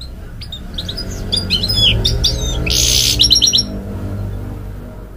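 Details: Canary-goldfinch hybrid singing to encourage young chicks, a quick jumble of high chirps and twitters, with a brief harsh burst midway and more rapid chirps after, over a low background hum.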